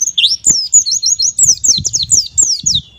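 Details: Bright white-eye song meant to make young birds sing: an upswept opening note, then rapid repeated high falling whistles, roughly four per second, with faint low knocks beneath.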